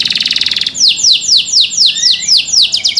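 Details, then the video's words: A small, young white local canary, its tail not yet grown and its song still incomplete, sings a fast buzzy trill, then a run of high, downward-sweeping whistles repeated about four times a second. "THE SOUND OF CANARIES CAN MAKE OTHER CANARIES JOIN TO SING"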